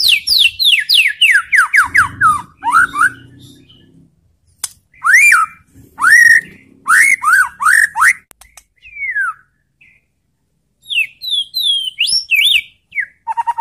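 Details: White-rumped shama song used to provoke other shamas into answering: rapid descending whistled notes in quick series, then rising slurred whistles and bursts of varied phrases separated by short pauses.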